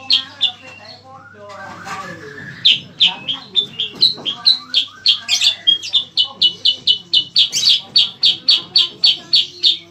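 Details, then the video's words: Bayeman, also named cicak kurincang, in full lively song used as a master for training contest birds: soft mixed twitters at first, then a long, fast train of loud, even chirps about four per second. "bayeman atau cicak kurincang gacor | pancingan & masteran burung"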